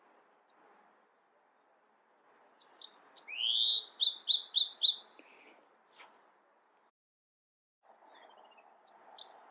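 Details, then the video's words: A Bewick's wren delivers one song of sharp opening chips, an upswept note and a quick run of doubled phrases, with quieter chips before and after and faint background hiss. "Beautiful Bewick's Wren Songs |Calling | Singing!"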